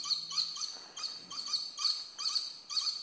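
Violet-necked lory giving harsh, high, screechy calls in quick bursts, roughly two per second, with brief pauses between.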